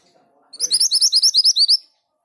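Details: Singing orange minivet (sepah hutan, mantenan gunung): a brisk series of roughly eleven bright, rising whistled notes, evenly spaced over about one and a quarter seconds, after a brief soft lead-in.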